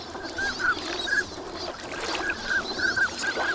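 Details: Many ducks wintering at Lake Inawashiro, Nagahama, call on a fine morning: quick short whistled notes come in bursts, a few sharper upslurred ones standing out, with a hazy background of open-water sound.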